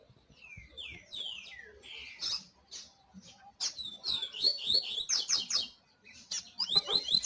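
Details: Double-collared seedeater song: rapid, varied phrases of high slurred whistles and sharp chirps, some falling notes early, then dense twittering bursts separated by short pauses, with a faint low background hum.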